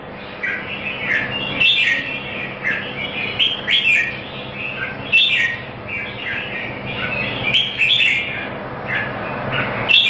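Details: Competition singing by a red-whiskered bulbul in Singapore: a steady run of short, rich, whistled phrases about once a second, with occasional sharp high notes and a hissy background.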